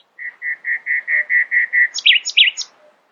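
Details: Early-morning nightingale: eight steady, evenly spaced whistled notes, then high, sweeping, looping flourishes to finish the phrase.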